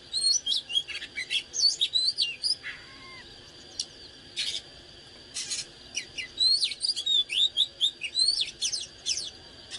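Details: Oriental magpie-robin in fired-up song. Rapid runs of sweet whistles and chips come over two seconds, broken by loud clicking knocks, then another long run of varied upslurred whistled notes.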